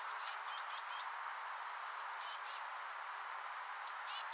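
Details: Recently fledged Eurasian blue tit chicks near their rowan nest being fed, giving busy high chirps: rapid runs of thin falling notes overlapping with sharper, very high calls, several birds calling almost continuously.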